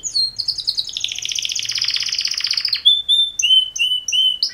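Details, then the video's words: Male canary mating song from two males: a fast buzzy rolled trill lasting nearly three seconds, followed by clear high whistled notes and short upslurred chips. "Super Two Males Canary Mating Call Songs"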